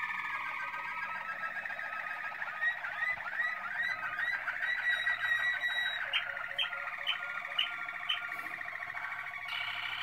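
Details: Waterslager canary, also called Malinois, recorded in 2016; a rolling, water-like warble with trills and rising slurred notes, then a series of short looping notes repeated about twice a second near the end.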